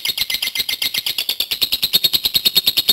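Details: Caged-contest-style lovebird in 'gacor panjang' long continuous song, a shrill pulsing chatter of high, slightly buzzy notes repeated rapidly and evenly, around eight to ten per second, holding a steady pitch throughout.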